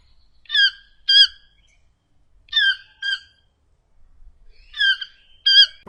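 Toco toucan giving harsh, nasal double notes, each pair repeated about every two seconds, with a rough, reedy tone; no other sounds.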